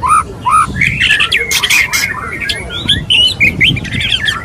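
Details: Courting male white-rumped shama: loud, scratchy squawks and buzzy notes interleave with short whistled slurs, delivered in rapid, uneven bursts.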